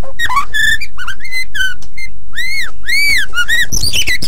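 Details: White-rumped shama master song for tutoring other birds: pure, arched whistles that rise and fall, with short slurred notes between them and a busy twittering burst at the end.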